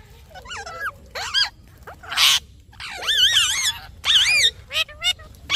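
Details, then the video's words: Parrot chirping: scattered curving chirps building to longer wavering, warbled notes, mixed with a few harsh noisy bursts, over low background rumble. "Parrot Chirping Sounds"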